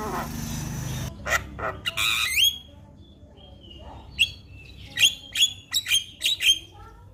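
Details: Javan myna singing to stir a mute myna into song: harsh bursts and a down-slurred whistle, a pause, then a string of sharp whistled chips.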